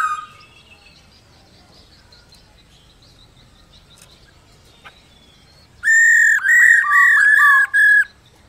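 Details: Female black-throated laughingthrush calling to rouse males: after faint background chatter and hiss, four loud arched whistles come in rapid succession, some with lower dipping notes.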